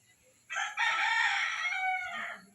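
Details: Turkey at a Philippine brood where eight of ten eggs hatched: one long, rasping, nasal call of nearly two seconds, held steady and rich in harmonics, briefly broken near its start, with soft background noise.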